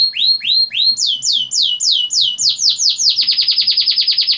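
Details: Canary lure song with long rolls for young canaries: repeated sweeping downslurred whistles that speed up into a very rapid rolling series of short downswept notes.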